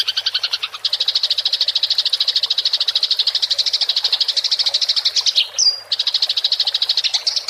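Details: Clear rolling fight chatter from a Eurasian tree sparrow, used to train songbirds: a very fast stream of high chirps, over three per second, briefly broken by a short thin whistle before resuming.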